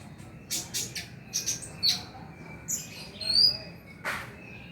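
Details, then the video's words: Sparse high chirps and short squeaky whistles from an Oriental magpie-robin, played to encourage singing at night, separated by brief pauses, ending with a harsh burst over soft background hiss. "PANCINGAN KONIN AGAR BUNYI MALAM HARI"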